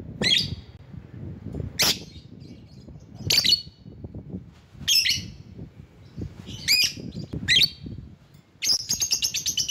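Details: Lovebird calling to draw rivals: scattered shrill squawks at irregular intervals, then a brief rapid chatter, over low rumbling background noise.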